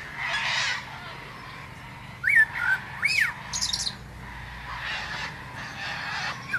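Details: Common blackbird (Turdus merula) singing: a few short fluted whistled notes around a mid pitch, one rising and falling, then a brief high scratchy twitter, with faint background hiss between phrases.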